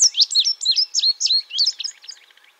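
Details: Indigo bunting (Passerina cyanea), song.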